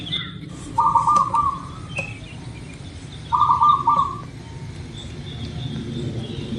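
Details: Zebra dove of a local type singing, played as a lure to prompt birds to sing: two rolling, trilled cooing phrases about two seconds apart, with faint distant chirps and a constant low rumble behind.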